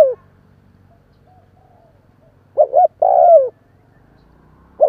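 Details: Spotted dove giving a stimulating call for newly caught birds. After a brief note and near silence comes one full phrase of two quick hoots and a drawn-out falling coo, with the start of another at the end.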